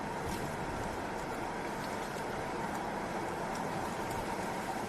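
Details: Steady mechanical rumble and hiss of a moving ride or vehicle, with faint scattered clicks and no animal calls.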